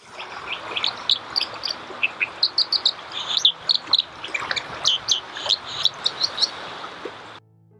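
A dipper sings a fast, scratchy warble of high, sharp chirps and trills, tumbling on without pause over a steady rushing background like running water.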